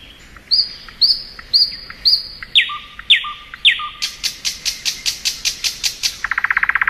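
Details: Thrush nightingale singing in spring, starting with repeated sharp whistled phrases, moving into a run of loud, evenly spaced clicking notes, and ending with a fast, dense rattle.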